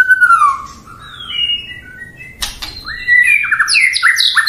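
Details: A white-rumped shama sings to stir a rival into responding: gliding falling whistles, a soft lull and a brief rattle, then an energetic flurry of quick high notes rising and falling.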